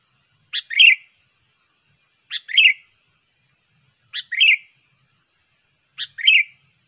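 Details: Sooty-headed bulbul, a trained bird whose song serves as a trapping lure: a crisp two-part phrase, a short note then a rich warble, repeated four times at about two-second intervals with nothing else audible.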